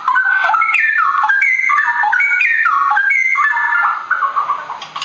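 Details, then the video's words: Straw-headed bulbul, a continuous loud rush of rich, liquid warbling notes tumbling up and down in quick succession, about four notes a second, fading toward the end. "Cucak rawa cucak rowo suara mewah ropel hutan nggulung"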